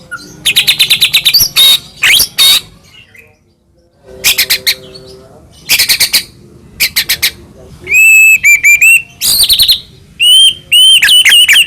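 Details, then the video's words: White-rumped shama, Medan type, its song full of varied fill-in phrases, played to make other shamas sing: bursts of dry rapid clicking chatter separated by pauses, then loud high whistles with sharp upward flicks near the end. "murai batu gacor AMPUH buat PANCINGAN murai batu agar bunyi jadikan burung murai gacor NYAUT"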